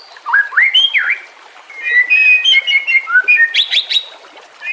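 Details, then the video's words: White-rumped shama singing as training material, with trickling water behind. Liquid V-shaped whistles and long level tones lead into a quick cluster of high rising notes. "Masteran murai TERAMPUH yang di pakai semua burung juara"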